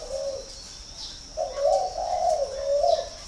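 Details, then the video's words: Spotted dove at a bird garden in Ba Vì district, Hanoi, giving one short soft coo, a pause, then a longer rolling sequence of rich coo notes, over a persistent high electrical-sounding hum. "chim cu gáy hay 88 miền bắc"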